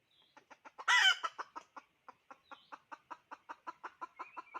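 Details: Chicken calling: rapid, evenly spaced clucks repeat about six or seven times a second, broken early by one loud harsh squawk, with a thin high whistle-like tone heard faintly now and then.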